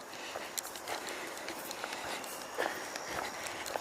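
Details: Footsteps crunch over uneven outdoor ground, with faint background noise and no animal calls.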